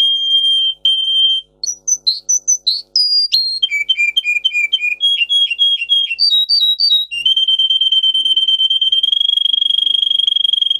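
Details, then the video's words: Russian singer canary, a breed kept for singing, performs a varied song meant to teach other canaries: a smooth trill, high chirps, several distinct tours of repeated rolling notes, and a long sustained rapid trill at the end. "Russian singer canary singing"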